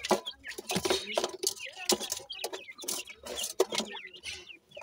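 Partridge chicks give rapid, thin peeping calls with short rising and falling whistles, mixed with clucks from a larger bird and some handling noise.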